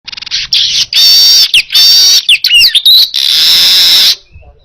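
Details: Baya weaver song used as a training recording for other birds: loud, close buzzy chatter with long sustained hissing wheezes and quick whistled slurs between dry ticking notes, ending abruptly.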